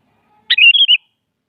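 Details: Sooty-headed bulbul (kutilang) singing in the morning, challenging a rival to a singing contest: one brief, clear, liquid phrase with a sharp opening note and then three quick warbled whistles that wobble up and down, in silence before and after.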